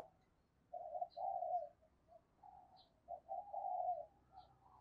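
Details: Decoy spotted dove cooing to attract new wild birds: two phrases of low hollow coos, each ending in a longer note, set against steady background hiss with faint high ticks.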